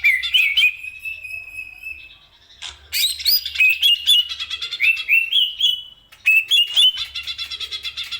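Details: Greater green leafbird in captivity, song meant for training other birds, delivering sustained wavering whistles and fast jumbled warbling phrases with mimic-like notes, loud and continuous over eight seconds with one brief lull.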